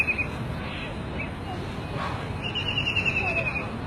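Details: White-throated kingfisher (Halcyon smyrnensis) gives a brief high note, then a rapid, slightly descending rattling trill of sharp notes, over steady low rumbling background noise.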